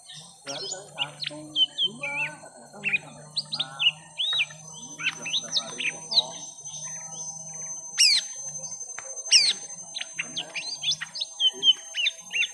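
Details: Lesser green leafbirds, young, in a long fighting bout, round one: varied whistled phrases and chatters pour out continuously, broken by two loud sharp high calls, over a low steady hum.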